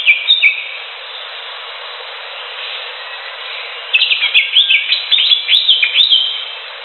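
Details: Cream-vented bulbul singing in the wild, used as therapy for birds: after a brief chirp and a quiet stretch, a lively burst of bubbling, warbled notes, quick and varied, over steady hiss.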